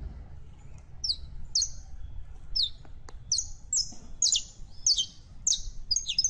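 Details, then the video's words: A female canary in heat calls a male to mate, giving high, sharp chirps with short whistled tails, roughly twice a second, against a noticeable low rumbling background. "15 MINUTOS DE HEMBRA EN CELO LLAMANDO A MACHO CANARIO PARA APAREARSE"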